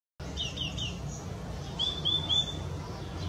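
Purple-throated Euphonia giving two quick runs of three high, clear whistled notes, the later ones thin and slightly rising, over a low steady rumble.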